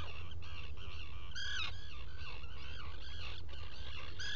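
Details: Black guillemots in a rock-crevice nesting burrow, Seal Island NWR, Maine, morning of 5 July 2018, burrow-cam recording: continuous jumbled, high, harmonic squeaks and twitters with a sharper rising note near the middle, over constant low hum.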